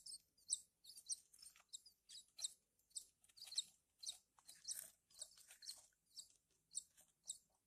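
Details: Young Horsfield's bush larks during hand-feeding call steadily with very high, thin chirps, nearly one per second over eight seconds, in short double and triple bursts, with faint background hum.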